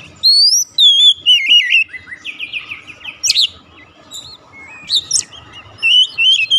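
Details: Oriental magpie-robin song used to bring a silent bird into full song: loud, varied whistled phrases, some rising and falling, mixed with buzzy and sharp notes in short bursts, quiet gaps between.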